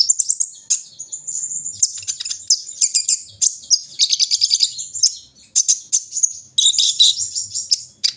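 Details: Continuous high twittering and rapid trilled chips from a kolibri ninja sunbird during its morning dew session, dense and energetic with only short breaks.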